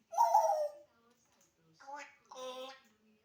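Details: Talking pet African grey parrot: a hoarse, speech-like utterance followed after a pause by two shorter nasal, voice-like syllables, in a quiet room.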